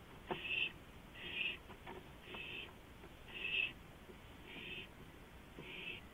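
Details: Nighttime owl on a porch, early hours of 5 April 2015, producing six harsh, airy hisses spaced about a second apart, with faint ticking noises between them.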